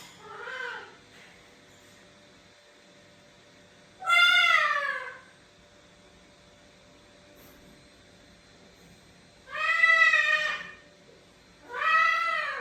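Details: Female macaw calling indoors from another room while a young male chick perches on a shoulder: loud, harsh, grating screeches, each about a second long, one faint and three strong, spaced several seconds apart.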